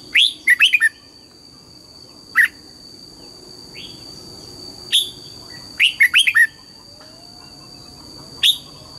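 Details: A red-whiskered bulbul in morning training sings the double-note wild-style song: quick bubbly groups of three or four whistled notes alternate with single sharp notes, against a steady thin electronic tone.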